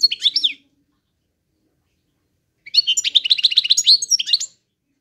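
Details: European goldfinch singing: a short twittering burst, a pause of about two seconds, then a longer run of rapid, high, tinkling chirps and trills lasting nearly two seconds, with no other sounds.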